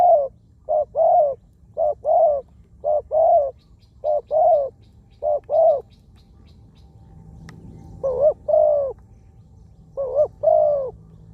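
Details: Spotted dove used as a decoy on the ground, a wild bird with a small voice; a rapid run of six short paired coos, a pause with faint high ticking, then two slower longer two-part croos.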